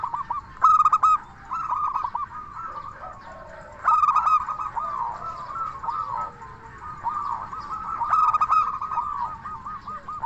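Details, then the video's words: Local zebra dove singing in 'crystal voice' style, used as a lure to draw replies from other zebra doves: three loud, ringing bubbly coo phrases spaced a few seconds apart, with continuous softer cooing from other doves between them. "Perkutut Lokal Gacor SUARA KRISTAL Ahlinya Bikin Semua Burung Perkutut Langsung Nyaut"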